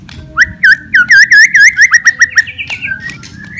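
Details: White-rumped shama fighting song to stir rival birds: a rapid series of about ten clear dipping whistled notes, each repeated evenly and fading, then softer warbling.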